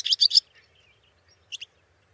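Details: Barn swallow (Hirundo rustica) from Finland: three quick high chirps, a pause with faint softer notes, then two brief sharp chirps near the end.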